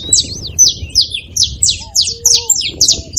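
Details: A saffron finch sings to rouse a quiet canary: a string of high, rasping, downslurred chirps at an even quick pace, accompanied by a few soft low whistled notes from another bird.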